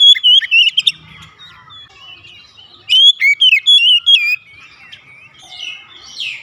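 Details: Morning song of a white-rumped shama, two bursts of fluid whistles and quick chattering notes, the second longer, followed by softer scratchy twittering at the end.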